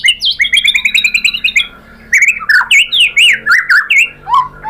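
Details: White-rumped shama lure song to stir other shamas to sing: a rapid stuttering run of bright notes, a short pause, then loud swooping whistles that bend up and down.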